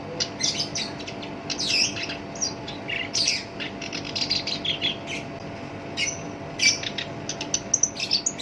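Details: Black-browed reed warbler with a rough, harsh voice, used as a lure to stir other songbirds, gives scattered scratchy chips and short twittering phrases over a steady low electrical hum.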